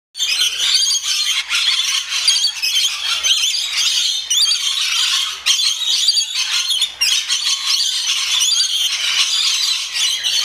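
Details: Rainbow lorikeets at feeding time; a dense, continuous chorus of shrill, harsh screeching and squealing calls from many birds, overlapping without pause.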